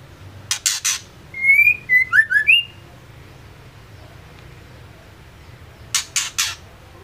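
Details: Female white-rumped shama (murai batu betina) used to rouse males into song: three dry rasping bursts lead into a short run of five whistled, gliding notes. Several seconds of quiet follow, then three more rasps.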